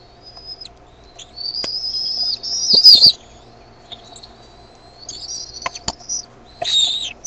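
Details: Bald eaglet begging at the nest as the mother lands with food; a high thin whistle swells into a loud squealing run, then scattered clicks, a long faint whistle and a final sharp squeal.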